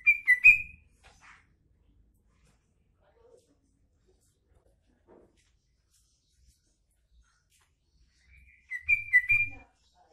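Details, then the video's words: Green leafbird (cucak ijo) with learned trucuk song filler gives a short loud burst of sharp whistled notes. Long near-silence with faint ticks follows, then a second similar whistled burst closes the passage. "Trucuk isian cucak ijo"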